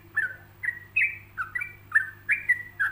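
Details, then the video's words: A yellow-vented bulbul gives rich, liquid whistles, about three per second, some rising then dropping, others falling. The notes are clear against a quiet hum. The relaxed ropelan song is made for other bulbuls to learn. "Ropelan Santai Untuk Masteran"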